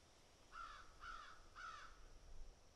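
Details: Crows picking and eating, giving three harsh caws about half a second apart, each a rasping burst over a low rumbling background.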